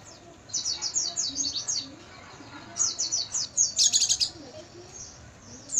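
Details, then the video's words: Oriental white-eye training recording meant to be played at night: a fast, high twittering run of thin, slurred notes in quick bursts, ending in a brighter, denser flourish. "MASTERAN PLECI MALAM HARI,AGAR PAGI GACOR BUKA PARUH"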